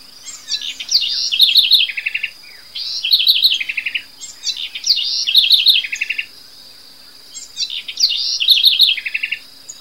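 A house wren sings four bubbly, high phrases of rapid chattering notes that tumble downward, one about every two and a half seconds, over a steady insect hum.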